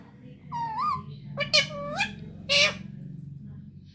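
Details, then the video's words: Young pet parrot talking indoors: three nasal, harmonic, speech-like notes over two seconds, the first wavering, the second rising then falling, the third a short harsh burst, with a low room hum behind. "Baby parrot bol sakta hai"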